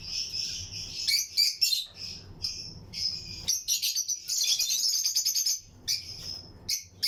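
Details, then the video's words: Lutino lovebirds in a breeding colony aviary, pairs in a flight cage alongside other birds; high, buzzy chirps and chattering phrases, bursts rapid and overlapping, with short pauses between them. "Lutino Lovebirds Breeding Colony Cage - Chirping and Relaxing Sound"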